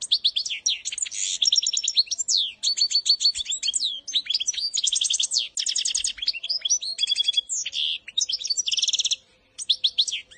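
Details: Goldfinch training song for baby birds: a long, dense outpouring of bright twitters, buzzy trills and ringing whistled notes, almost unbroken for about nine seconds before a short pause and a final few chirps.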